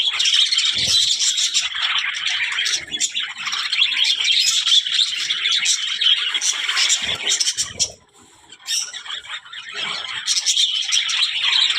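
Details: Talking budgerigars in a steady stream of high, rapid chirping and warbled twitters, the busy chatter broken by a short lull near the end before resuming.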